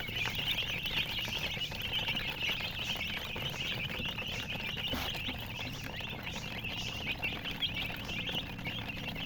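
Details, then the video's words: Baby chicks, described as colored chicks, chirping together in a dense, continuous chorus of short, high peeps that overlap without pause, over a steady low rumbling background. "silly chicken chirping sounds"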